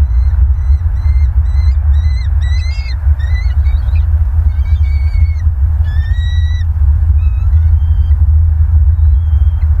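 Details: Bald eagles at a nest in Southwest Florida, 22 November 2022, evening: series of thin, high, chittering whistled notes in quick bursts, repeated over several seconds, over strong low wind rumble.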